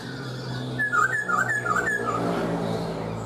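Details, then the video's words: Black-throated laughingthrush, caged for four months, singing a quick run of four clear whistled notes, each a short rise and fall, followed by a lower trailing note, over a low indoor hum. "Khướu bạc má 4 tháng lồng, người rài giọng cực hay"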